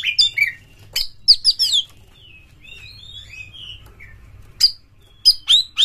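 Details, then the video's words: Oriental magpie-robin (kacer), used as a lure sound to make kacer birds sing in mating mood; sharp varied chirps and short whistled notes around the upper range, with quieter gliding whistles between bursts and a low hum beneath. "SETINGAN KACER SAMPAI GACOR jebol birahi PAKE SUARA PANCINGAN BURUNG KACER INI pasti MENYAMBAR full"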